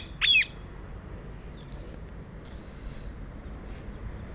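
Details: Rose-ringed parakeet, also called Indian green parrot: one loud, harsh squawk with a quick falling pitch, followed by faint distant chatter.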